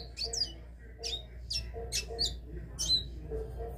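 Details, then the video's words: Capped seedeater delivering the classic three-note song style: short, sharp whistled notes, some sliding downward, repeated roughly every half second to a second, over a steady low hum. "CABOCLINHO CANTO DÓ 3 NOTAS CLÁSSICO"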